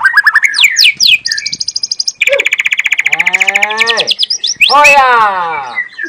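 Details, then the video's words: Young white-rumped shama from the wild forest delivering full 'tembakan' song: quick whistled sweeps, a high mechanical trill, then long harsh churring rattles and rapid-fire repeated notes. "FULL TEMBAKAN ALAM MURAI MUDA HUTAN"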